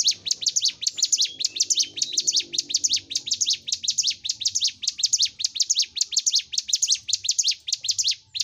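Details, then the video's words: Bar-winged prinia (ciblek gunung) in lively gacor song, used as a masteran recording to stimulate kept prinias to sing and fight: rapid, chattering high notes in tight bursts, repeated almost twice a second, steady throughout. "Masteran CIBLEK GUNUNG (CIGUN) Gacor l Untuk M3rangsang Cigun Ombyokan Agar Cepat Fighter & Bunyi"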